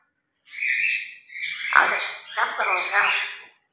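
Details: Pet grey parrot talking while playing in the morning: a three-second run of raspy, speech-like syllables in three linked swells, noisy and squawky in tone.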